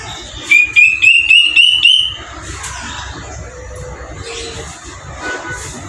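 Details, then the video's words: Kedasih hitam, the square-tailed drongo-cuckoo, gives a rapid run of some seven pure whistles stepping steadily upward in pitch over about one and a half seconds, then a quieter noisy background with faint distant sounds. "suara burung kedasih hitam"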